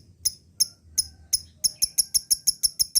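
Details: Lovebird sound meant to spur lazy birds into ngekek: four spaced high chirps, then a quickening chain of sharp, ringing kek notes about five to six per second.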